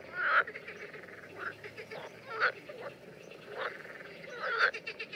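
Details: Calling common terns seen mating in the Danube Delta, June 2016: scratchy, harsh notes repeat irregularly, three louder calls standing out among softer ones, with constant background hiss.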